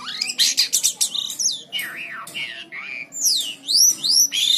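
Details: White-shouldered triller singing actively, kept for tutoring other birds: rapid burst of sharp chirps, then looping whistled notes that slide down and up, ending in high arched whistles, over a steady low hum.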